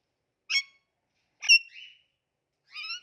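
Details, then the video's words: Pet Indian ringneck parakeet that talks and makes cute noises. It gives three short, separate harsh calls about a second apart: two clipped squawks, then a rising, nasal, harmonic note, each fairly high-pitched, with silence between. "Talking Indian Ringneck Parrot Making Cute Noises"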